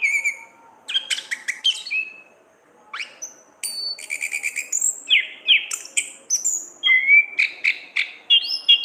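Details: Orange-headed thrush, kept caged, singing a varied song for training other songbirds: whistles and clusters of sharp notes, a short pause, then a fast continuous jumble of chips, trills and slurred phrases.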